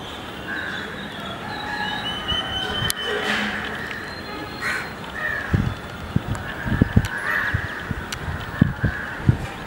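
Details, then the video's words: Jacobin (pied) cuckoo giving loud, ringing, slightly metallic notes around mid pitch, repeated in short runs, over low rumbling wind or handling bumps. "Jacobin Cuckoo"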